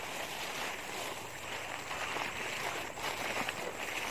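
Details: Continuous rushing wind buffets the microphone outdoors, with a rough, even hiss and slight surges in loudness.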